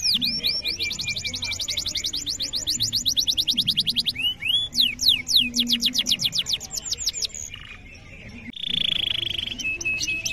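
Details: Domestic canary singing a long tutor song meant to coax young or stalled canaries into song: rapid high trills of repeated sweeping notes, a pause, swooping descending whistles and more trills, then a steady held tone near the end.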